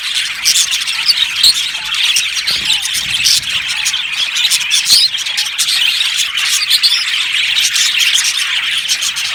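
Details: Many budgerigars chirping in an aviary colony, continuous high scratchy twitters punctuated by sharp clicks and occasional clearer whistled squeaks throughout.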